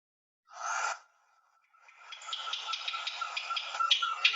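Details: A house wren, a bird common near homes, gives one of its two distinct call types: one short harsh rasp, then a fast run of scratchy, buzzy chatter notes, about three per second.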